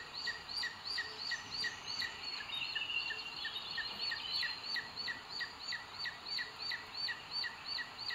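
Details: Recorded at a booted eagle nest via live webcam, Sierra de Guadarrama natural park, Spain, 2 June 2022, during a food delivery from male to female; fairly soft, quick high notes in a regular series over steady noise.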